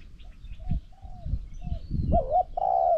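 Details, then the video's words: Spotted dove cooing during decoying of a strong-cooing wild bird. Soft distant coos are followed by a loud close phrase of a wavering coo and a long level croo, over low rustling. "ต่อนกเขาใหญ่ นกเขาใหญ่"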